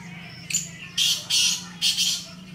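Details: Black francolin in jungle: a short introductory note then three loud harsh rasping bursts, the middle pair closely joined, over a steady low background hum.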